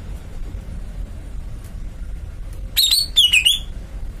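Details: Greater green leafbird, kept caged, utters one short phrase of high whistles dipping and rising in pitch after a quiet stretch with only low background hiss.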